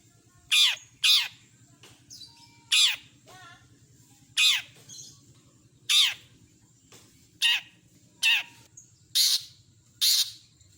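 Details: Loud rasping screeches from a long-tailed shrike, repeated at uneven intervals of about one to one and a half seconds, with a brief softer warbled note and a steady low hum behind.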